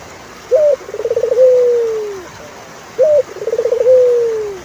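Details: Turtle dove repeating its song twice: a short rising note, a fast burst of pulsed coos, then a sustained low coo gently sliding down, with quiet pauses between phrases.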